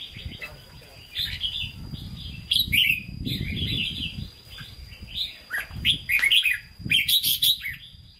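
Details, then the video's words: Red-whiskered bulbul in a cage, offered for sale, giving Hue-style song: warbled bursts of bright whistles with sharp upslurred notes, broken by pauses, over low rumbling handling noise and a constant faint high whine. "Chào Mào Chuẩn Giọng Huế Hót Ché"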